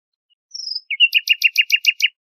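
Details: Nightingale singing: a thin high descending whistle, then a rapid series of about eight loud chirped notes repeated evenly, each rich and ringing.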